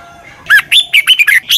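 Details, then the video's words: Red-whiskered bulbul from Thailand, doubled song for young birds to learn: a quick run of about six loud, slurred whistled notes, bright and slightly harsh. "เสียงนกกรงหัวจุก เบิ้ล แม่บทใต้ เพลง พยางค์ เสียงชัด ก๊อปติดง่าย"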